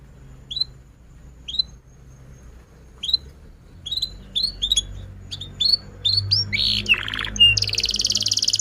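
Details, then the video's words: Canary lure song meant to spur other canaries to sing and help young birds learn. Spaced single rising chirps come about once a second, then quicker chirp groups, a harsh buzzy note and a dense closing trill. "kenari gacor panjang Cuit Cuit EMOSI, Pancingan Kenari Paud Belajar Bunyi"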